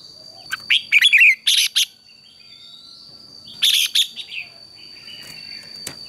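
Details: Red-whiskered bulbul in morning competition singing, two brief bursts of loud, buzzy, chattering notes separated by a quiet gap, with a faint steady tone running throughout.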